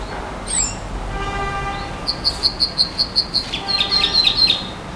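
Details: Nightingale song opening with a thin descending whistle and faint tonal notes, then a run of about ten loud, sharp, high repeated notes, followed by a rougher, faster trill, all against a steady background hiss.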